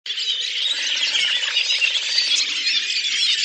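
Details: A flock of Redwings (Turdus iliacus) sings collectively in April in Oka Nature Reserve, Russia, a dense, continuous babble of high twittering, squeaky and chattering notes that overlap without pause.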